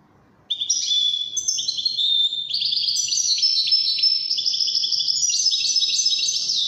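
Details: Continuous, energetic song of a European goldfinch called Widani: rapid tinkling trills and twittered notes run together without a break, varied and bright throughout.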